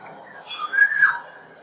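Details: Black-naped oriole calling: a single clear, fluty whistle that swoops up and down, loudest in its middle, lasting under a second. Brief hissy noise runs above it, over a quiet background.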